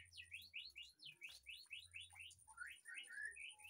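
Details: White-rumped shama in a backyard aviary delivering rapid repeated upward-swept whistles, about three per second, shifting lower toward the end into rising slurred notes, with a low background hum.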